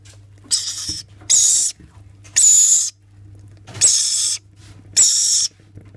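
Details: Rainbow lorikeet chicks being spoon-fed give harsh, hissing rasps, five half-second bursts in six seconds, over a faint low hum.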